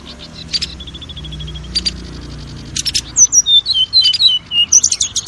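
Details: Oriental magpie-robin lure song for kept birds: a faint buzzy trill and scattered chirps, then loud sharp whistled notes and slurred phrases over a low hum.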